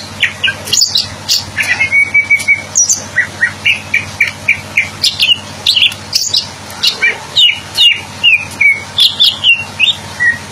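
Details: Greater green leafbird singing: a rapid, varied stream of short whistled and chirping notes, some sliding downward, some held as flat whistles, delivered in quick bursts with barely a pause; a faint low hum runs underneath.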